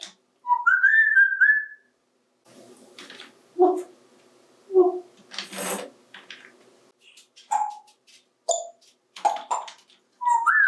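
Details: A 28-year-old adopted male African grey parrot, playing with toys in the bathtub, chatters in bursts of mimicked speech-like syllables such as "hi", broken by clear rising and falling whistles and a few harsher, noisy squawks.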